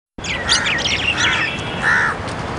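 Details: Indian grey hornbill during the breeding season, mating, in Palakkad, Kerala, on 9 February 2014; a quick run of high squeaky chirps, then a short harsher nasal note near the end, over steady background hiss.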